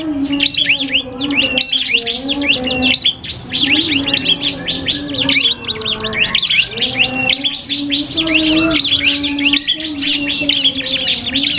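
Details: Singing duel of a cipoh kristal iora against a prinia, meant to train cage birds: nearly twelve seconds of fast, overlapping high chirps and whistles with brief dips, and a low droning hum throughout.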